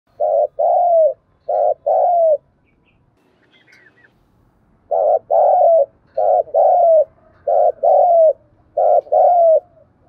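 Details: Spotted dove decoy cooing, used to stir and train newly caught wild doves; low two-part coos, each a short note followed by a longer drawn-out one, repeated in four phrases with a silent gap between the second and third.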